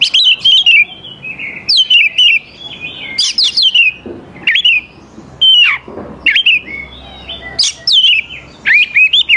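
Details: Oriental magpie-robin in full song for luring young forest birds to reply, rapid bright whistles and downslurred notes delivered in dense, repeated bursts with brief gaps.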